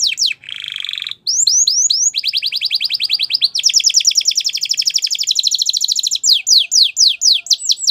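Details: Gloster canary singing rapid repeated sweeps, a short low buzzy note, fast rolled trills that run for seconds, then a tour of sharply falling chirps; bright, loud and continuous.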